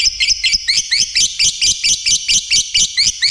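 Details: Lovebird in lively voice: evenly repeated high squeaky chirps, a little over two per second, each with a sharp upward flick, steady from start to finish.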